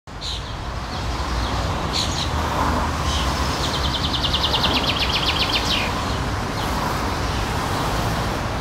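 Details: Common chaffinch (Fringilla coelebs) in summer sings a quick, bright run of repeated high notes, over a steady rumble of road traffic.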